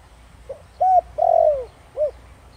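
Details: Single phrase of a spotted dove in the Thổ Đồng style used to make wild doves reply: a soft opening note, a clear coo, a long gliding downward coo and a rounded closing note.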